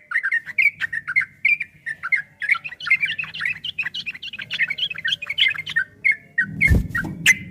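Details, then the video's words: Fast 'ropel' singing of a yellow-vented bulbul (trucukan): tumbling, liquid warbled notes in quick succession, ending with a loud thump and a few clicks, with a low hum throughout. "Suara burung trucukan MASTERAN TRUCUK ROPEL 2023 TERBARU ‼️PASTI GACOR, TRUCUKAN ROPEL PANJANG"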